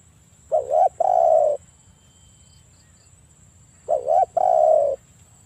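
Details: Lure recording of an actively cooing spotted dove that challenges rivals to answer. Two identical phrases about three seconds apart, each a wavering double note then a long level coo, with faint insect hiss in the background.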